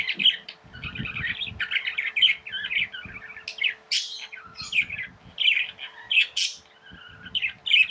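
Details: Tame pet budgies warble continuously, mixing scratchy chatter with bright squeaks and two sudden high shrill notes, while faint thumps and a constant hum sit beneath.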